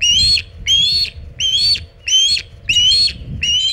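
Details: Loud, close osprey calls at the Hog Island nest with a big shad, late afternoon on 27 August 2019: six piercing, upward-sliding whistles, each roughly half a second long, spaced evenly with short pauses and faint background rumble.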